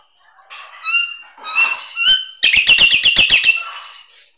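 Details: Nias hill myna song used as a master recording for training songbirds: clear whistled notes with stacked overtones, followed by a quick run of about ten sharp, clipped pulses, then a fading whistle.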